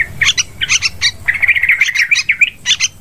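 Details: Sooty-headed bulbul sound used to lure birds for hunting: a few scratchy chirps, then a bubbling run of liquid whistled notes, ending with more harsh chips.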